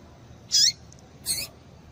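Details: Female papa-capim (Rusty-collared seedeater) calling to stimulate males to sing: two brief, high, harsh chirps less than a second apart, each ending in a lower downward-slurred note, over a quiet background hiss.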